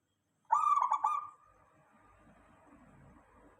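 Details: Local zebra dove song serving as a lure for other doves to respond: a single burst of quick, throbbing, trilled cooing notes, then soft background murmur.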